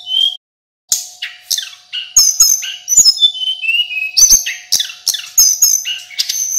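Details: Local male Hill Blue Flycatcher singing as a training recording: a short whistle, a half-second gap, then a rich, rambling medley of high whistles and chirps mixed with crisp repeated clicks.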